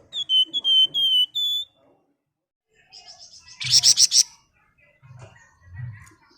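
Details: Flamboyan singing in the rapid ngebren style, used to spur other birds to sing: four clear whistled notes, a pause, then a short burst of high rapid chattering, with faint low thumps after.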